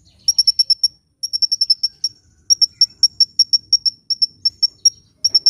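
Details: Hummingbird singing vigorously, recording meant for luring birds and prompting lazy birds to sing: very high, sharp chip notes in quick bursts of five to eight, separated by short pauses, with a faint low rumble beneath.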